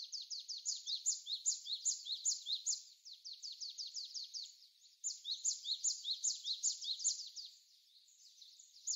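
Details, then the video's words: Japanese tit in winter while snow falls and wind blows, Korea, 16 February 2020, recorded on a smartphone: dense high chattering and twittering notes repeated rapidly, about two or three per second, pausing briefly midway. "박새 새소리"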